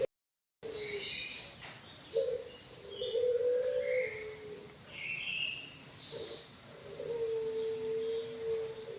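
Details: Young Anggungan, five months old, in an aviary, sounding drawn-out steady low whistles, one held about two seconds, amid busy higher chirping and twittering from other aviary birds.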